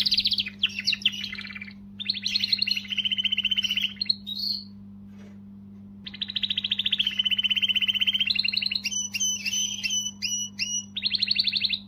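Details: Canary singing to motivate females, long varied song: chattering trills, a pause, then extended rolling trills and rapid clicking notes, continuous hum in background.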